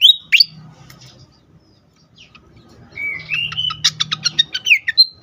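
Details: Excited fantail, played to lure and rouse birds. A sharp whistled note opens, then after a pause a rising whistle leads into quick, repeated high chips and a final clear whistle. A faint low drone is present.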